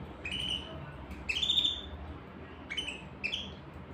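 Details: Canary song phrases: four bright upslurred whistles, each rising quickly and ringing with overtones, the second the longest and loudest, separated by short pauses over a quiet hum.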